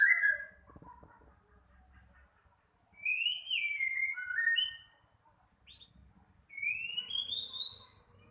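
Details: White-rumped shama singing in bursts: rich slurred whistles gliding up and down, some rising steeply, mixed with thin high twittering notes, separated by short silences; faint low hum underneath.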